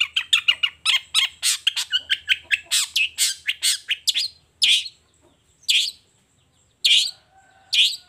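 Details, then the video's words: Lively morning song of a long-tailed shrike showing off its material: a rapid rhythmic string of about twenty scratchy notes over four seconds, then a few isolated harsh calls spaced apart. "Suara Cendet Gacor Di Pagi Hari Toet Toet Bongkar Materi"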